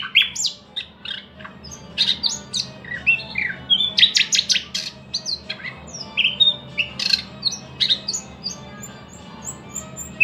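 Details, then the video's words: Thrush nightingale song: a varied run of loud, rich phrases mixing sharp clicks, rattling notes and short whistles, delivered in rapid bursts with brief pauses, set against a low steady background hum. "luscinia luscinia"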